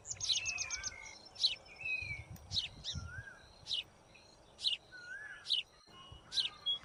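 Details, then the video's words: White-throated fantail while building its nest, opening with a rapid trill of short notes, then repeated sharp chips and thin wavering whistles at uneven intervals, soft low thumps in the background. "white-throated fantail -Building Nest"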